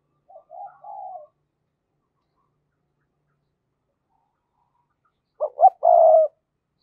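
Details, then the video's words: Spotted dove used as a lure for wild doves. A soft, distant-sounding coo is followed after a long silence by a loud phrase of two short notes and a long mellow note. "Chim Cu Mồi thúc và gáy gọi mở lên kích bổi hiệu quả nhất"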